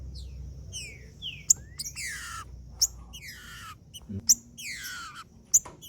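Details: Green-winged saltator singing, played to stir up and excite other males: a series of clear, whistled, downward-slurred notes at irregular intervals, over sharp repeated clicking sounds and a low background rumble.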